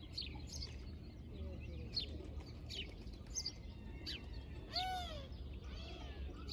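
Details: An Indian peafowl (Pavo cristatus) at the castle garden in Kroměříž, Czech Republic, on 27 March 2020 gives a short, loud, nasal wailing cry near the end, over busy chirping of small songbirds and a low rumble.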